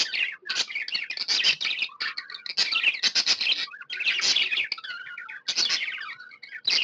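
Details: Happy pet budgerigar chirping: a steady, dense run of scratchy, buzzy chatter and bright high chirps, almost without pause, with brief tonal warbled notes near the middle and end.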